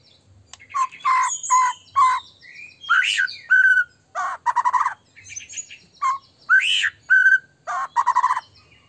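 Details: White-rumped shama singing to provoke other shamas: repeated loud burry phrases with rapid trills and ringing whistles, separated by brief pauses, some sharp clicks between.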